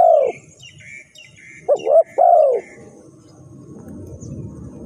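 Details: Spotted dove, a sound used as a trapping lure, giving mellow coos in a short-short-long pattern. Faint high chirps from another bird overlap, and a low rustling background noise follows the calls.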